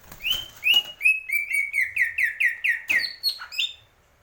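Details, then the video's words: Greater green leafbird delivering a steady string of clear whistled notes, each slurring downward, repeated evenly about three times a second and ending in a few higher twittered notes. "cucak ijo"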